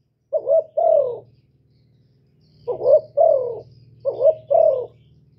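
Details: Cooing of a decoy spotted dove in gù style. Three phrases, each a quick doubled note then a fuller coo that falls away, with a pause after the first phrase and a steady low hum throughout.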